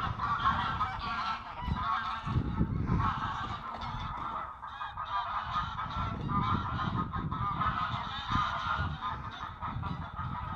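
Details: Grey and Canada geese fighting on water: a dense, noisy chorus of overlapping harsh honks, steady throughout against broad rushing background noise.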